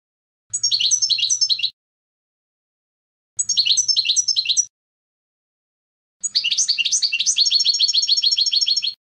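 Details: European goldfinch song in three bursts, each a run of rapid, tinkling, twittering notes high in pitch; the last phrase longer, with fast repeated liquid trills. A faint low hum sits under the first two bursts.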